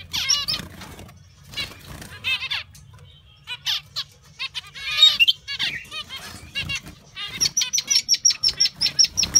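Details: Zebra finches in an aviary give nasal, buzzy toy-trumpet notes and chattering phrases, with several birds overlapping; a quick run of high, even, repeated chips closes the passage.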